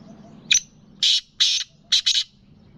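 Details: Black francolin, a Gangas lalpotia cross with Sindhi kala teetar, gives its harsh rasping call: a short sharp note, then two long grating notes, then a quick doubled note, over faint low background hum.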